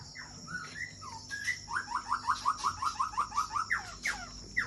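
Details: White-rumped shama, called murai, caged in Aceh Besar: varied whistled slurs, then a fast run of about a dozen repeated descending notes, with a steady high insect-like hum behind.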